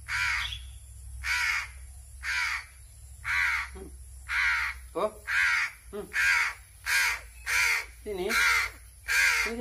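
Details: A hungry crow cries for food as it is fed by hand. Around eleven rough, buzzy caws come steadily and grow quicker, with a few short low gulping notes slipped between the later calls.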